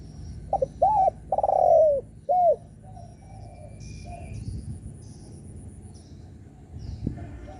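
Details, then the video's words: Spotted dove cooing to provoke rivals: a quick run of arched notes, one long falling coo and a final arched note, then several seconds of quiet background. "Chim cu gáy gù mở lên kích bổi cực hay"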